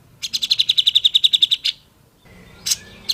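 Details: Grey-cheeked bulbul singing for training other birds: a quick even trill of about fifteen bright notes over a second and a half, followed by a pause and two short sharp chips.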